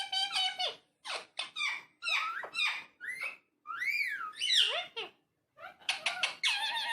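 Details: Talking parrot babbling almost continuously in a small room, with chattering syllables, a few high looping whistles near the middle, and a final run of raspy, speech-like sounds.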